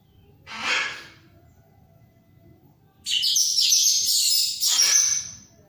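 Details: Orange-headed thrush singing vigorously: a brief noisy burst, a pause, then a loud, bright, jumbled high warbling phrase lasting about two seconds.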